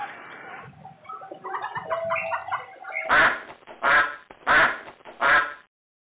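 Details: Duck on a farm with cows, goats, roosters, sheep and geese: mixed chattering calls, then four loud, harsh, nasal quacks about every 0.7 seconds, the last one ending abruptly.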